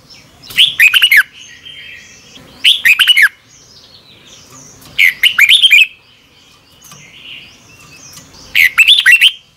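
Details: A red-whiskered bulbul sings its morning song for lure-bird training, short bursts of rapid looping whistled notes repeated about every two and a half seconds, four phrases in all, with faint chatter and a soft tone between.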